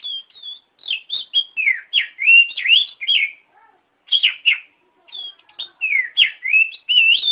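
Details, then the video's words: Song of the Oriental magpie-robin meant for training caged birds, a fast run of sweet whistled notes, swooping up and down, in bursts separated by short pauses; no other sounds. "SUARA BURUNG - Masteran Terbaik Kacer"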